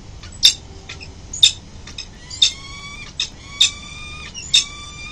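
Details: Pair of Peregrine falcons returning to their nest on a city building in the early morning, late November 2024: harsh, high-pitched notes repeated roughly once a second, several trailing into thin steady whistled tones, with low background hum.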